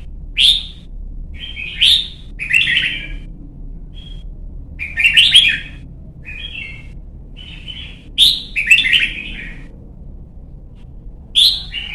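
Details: Young red-whiskered bulbul in voice training to sing and compete: bright, liquid whistled phrases in bursts every one to three seconds, high and chirpy, over a faint low hum.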